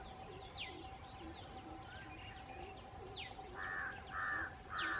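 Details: Large grey babbler in India: three harsh, nasal, buzzy bursts close together near the end, following sharp whistled notes that drop steeply in pitch and repeat about every three seconds, over a steady background hum.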